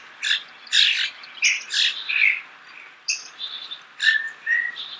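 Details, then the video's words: Starling song at close range: rapid, grating chatter and squawky notes in uneven bursts, with short whistled notes between phrases. "The song of the starling"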